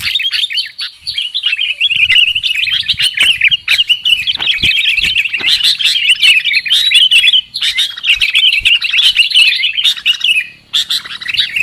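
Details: Sooty-headed bulbul call used as a lure for trapping birds: loud, busy run of bright chirping and warbled notes, dense and almost continuous, with brief pauses near seven and ten seconds.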